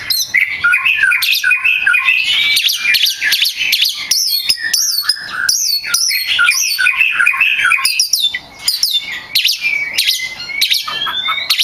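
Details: Oriental magpie-robin pouring out a continuous, dense song meant for training songbirds, rich in rapid whistles, trills, chirps and sharp harsh notes, barely pausing for about twelve seconds.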